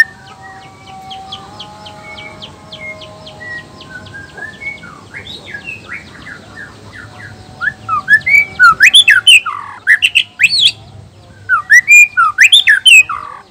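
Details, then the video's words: Black-tailed Nias white-rumped shama male, its song meant to rouse other males into singing: quiet, faint twittering at first, then loud sharp rising whistles and rapid chattering bursts in the second half. "suara alam khas murai batu blacktail,ekor hitam,nias..suara ini bisa bikin auto emosi murai lain.."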